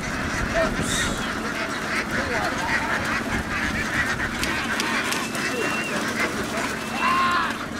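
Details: Laying ducks in Vietnam streaming across a field toward a boat: a loud, even chorus of many quacking birds, grating and continuous, with a couple of brief higher tonal calls poking through.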